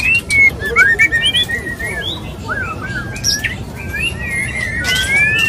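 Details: Male white-rumped shama (murai batu) courting a female with its mating call: quick varied whistled notes and slurred rising and falling phrases, some sharp high chirps, over a low steady background hiss.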